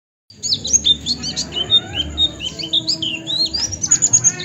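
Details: Oriental white-eye song used as a tutor recording for training birds: rapid, high, sweet twittering with quick rising and falling whistled notes, dense and continuous, over a faint low hum.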